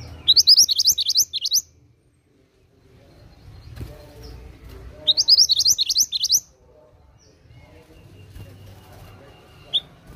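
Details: Oriental magpie-robin singing vigorously: two bursts of rapid, high, upslurred chirps, about ten notes each, separated by a few seconds of quiet with low background rumble.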